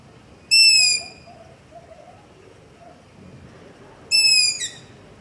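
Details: Long-eared owl begging call recorded at night near a house with a ZOOM H5 and LOM Usi Pro microphone: two loud, high, squeaky drawn-out screeches about three and a half seconds apart, each slightly falling at the end, over faint background hiss.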